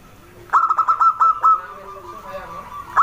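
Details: Zebra dove of a local wild strain, singing briskly: a fast string of about seven short, bell-like cooing notes, then a long sustained trailing tone and one final sharp note.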